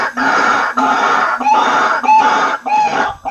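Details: Waterhen-attracting lure of White-breasted waterhen: loud, harsh, strained notes in long even blocks, each lasting about half a second and separated by short gaps.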